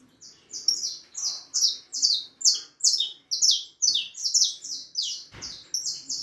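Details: Young harlequin saffron finch, four and a half months old, singing a long run of sharp high chirped notes, each a quick downward-sweeping burst, repeated about two to three times a second with brief gaps, quiet room behind.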